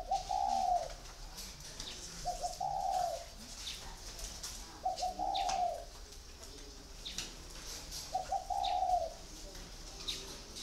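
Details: Spotted dove in a cage it has lived in for four years, repeating a two-part low coo four times, a brief lead note followed by a drawn-out wavering tone, over faint background rustling.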